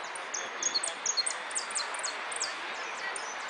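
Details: Jilguero finch at the Irupé singing contest, 'amarillo de repique' entry: a fast run of high, thin, downslurred notes, about two per second, with a few brighter chirps mixed in over constant hall noise.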